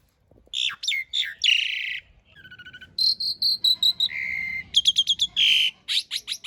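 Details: Master song of Asian pied starling for training cage birds, rough fill with long rolls: rattling buzzy phrases, a run of evenly pulsed notes, sustained whistles and fast stuttered trills.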